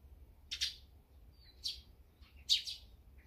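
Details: Eurasian tree sparrows feeding together with great tits and brown-eared bulbuls: three bright, high chirps about one second apart, each a quick double note, over a low steady hum.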